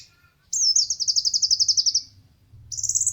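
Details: Kolibri ninja sunbird, competition-bird training recording: a long rapid high trill of about fifteen buzzy pulses slowly dropping in pitch, then a second shrill trill starting, with faint low hum beneath.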